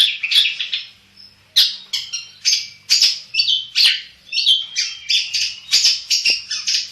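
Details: Black-headed long-tailed shrike singing continuously: harsh squawky notes mixed with quick whistles and chatter, a brief lull after the first second, then steady rapid varied phrases.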